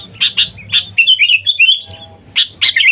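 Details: Sooty-headed bulbul giving its calling sound to attract wild bulbuls: a few sharp chirps lead into a long, rapid, rippling warble, then closing bright notes, with low murmur behind.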